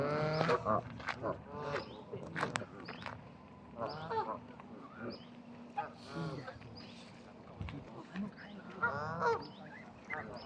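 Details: Geese at Bramhall, England, honking in scattered bursts of nasal, harmonic calls at irregular intervals over a noisy background of wind-like hiss and distant sounds.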